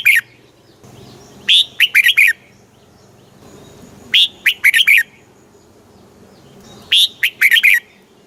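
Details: Song of a red-whiskered bulbul in Thailand, southern master style used to rouse caged bulbuls and teach chicks: three clear phrases, each a sharp upslurred whistle followed by a bubbling run of four or five warbled notes.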